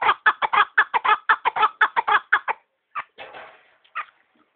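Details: Partridge giving a quick run of sharp, clucking chuk notes for about two and a half seconds, then a pause followed by a few scattered, softer notes.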